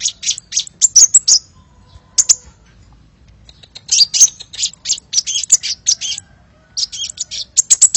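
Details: Hummingbird lure call, lively: dense high-pitched chattering chirps in quick clusters, with a longer silent stretch midway before a long excited run.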